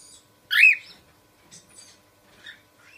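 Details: A single loud, arching screech from a cockatiel early on, followed by a few faint, brief chirps and soft twitters against near silence.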